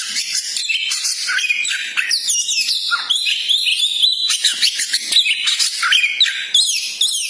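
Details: Koci, a magpie-robin, presented as a champion-spirited bird whose song is used to rouse a pet bird's fighting mood. Dense, fast, varied whistled and chattering phrases, high-pitched and overlapping, with sharp rising and falling notes throughout.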